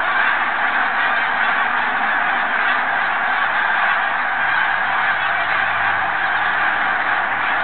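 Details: Many geese flying in flocks pass overhead, honking together in a dense, continuous chorus with no clear gaps. A jet is also present.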